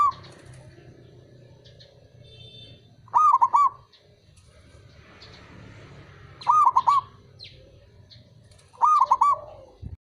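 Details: Zebra dove male calling, used as a lure to restart silent birds singing: three short bursts of quick, bubbling stuttered coos, spaced roughly three seconds apart, with faint background hum and rustling between phrases.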